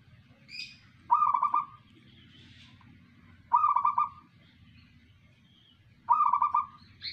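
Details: Local zebra dove performing its 'manggung' song: three rolling, trilled coo phrases, each about half a second long and repeated roughly every two and a half seconds, over a low steady background hum.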